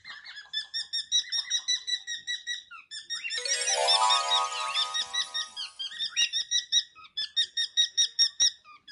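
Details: Pet cockatiels, a household flock indoors, keep up quick, repeated, down-slurred chirps during their lively 'march', while a loud squeaky, music-like burst covers the middle few seconds before the chirping resumes clearly.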